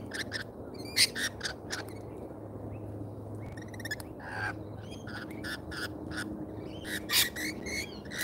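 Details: At an Australian feeder, lorikeets make scattered harsh squawks and short screechy notes, some clustered in quick runs, over a steady low hum.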